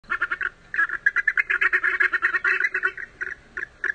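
An Andean goose gives a fast run of short nasal, cackling notes, about five per second, with one brief pause; nothing else is heard.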